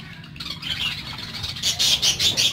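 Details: Pet parakeets kept as lovebirds: after a quiet start, a burst of high, bright tweeting chirps comes in the last second, several short notes in quick succession over a low background hum.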